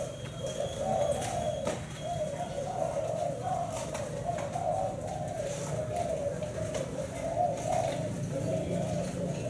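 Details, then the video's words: Spotted dove, a Thai black-spotted bird with a 7-note coo, cooing in soft, low, hollow phrases that roll on almost without pause, over faint background hiss and occasional indoor knocks. "Cu gáy thái bông đen 7 sị"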